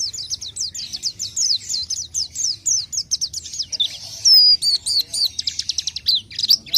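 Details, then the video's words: Lively orange-headed thrush singing quick strings of high, slurred whistles that shift into a brief level whistle and then clipped chirps, over a faint low background hum. "kicau main burung pelci"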